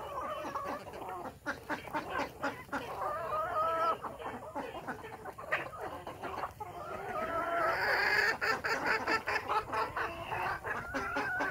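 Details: Morning on a village Desi chicken farm with natural-hatch chicks: continuous overlapping clucking and peeping, with a louder rising call near the end over constant background hiss.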